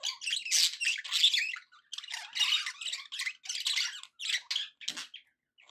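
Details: Cheerful budgerigar chatter: short, harsh, grating bursts repeated in quick succession, each under half a second, fading to scattered notes at the close.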